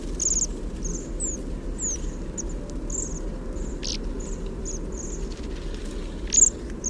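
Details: Quiet whispering calls of Bohemian waxwings, recorded close up through a parabola microphone: scattered short, high, buzzy trills and thin squeaks, several birds overlapping, with a constant low background hum.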